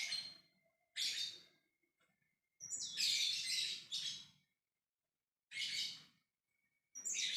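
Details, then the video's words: Lovebird giving the long 'ngekek' chatter to call other lovebirds: loud, harsh, rapid bursts of high chattering, each about one to two seconds long, separated by short silences. "Love bird ngekek memanggil yg lainnya"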